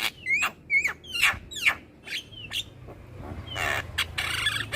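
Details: Young Javan myna in continuous song: four or five upslurred whistled chirps spaced about half a second apart, then a harsh hissing rasp near the end.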